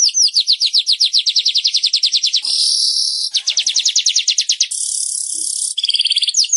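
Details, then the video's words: Weaver song played to stimulate caged birds to sing: long, rapid rattling trills of downslurred chips alternate with buzzy, sizzling hisses and a short double-toned trill. "SUARA BURUNG MANYAR"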